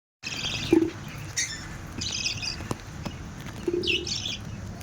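Budgerigars give short scratchy chirps and warbles against a steady background hiss.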